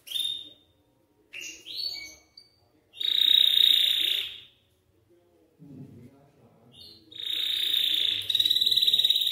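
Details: Song of a Belgian canary used to get young canaries singing: short trilled bursts, then a long loud rolling trill, a quiet gap, and another sustained bright trill.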